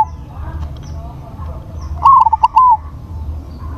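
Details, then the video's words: A single loud cooing phrase comes from a crossbred zebra dove with a big voice: clipped notes run into a sustained, falling final coo, over a low background hum. "PERKUTUT CROSSING SUARA BESAR"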